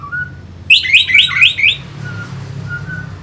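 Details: Orange-headed thrush from North Bali, used as a lure song for fighter birds: a quick run of five ringing, slurred whistles in about a second, with faint soft whistles before and after.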